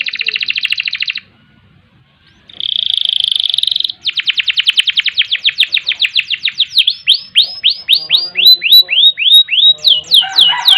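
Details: Canary singing a long ngerol and ngerek style song used as training master: a buzzy trill, a brief pause, another rapid trill, then an accelerating run of looping rising and falling whistled sweeps.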